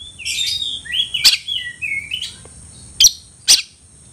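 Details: Oriental magpie-robin (kacer) calling to provoke a rival to fight, spreading its tail: slurred whistles sliding between mid and high pitch in the first two seconds, then three sharp clicking bursts near the end.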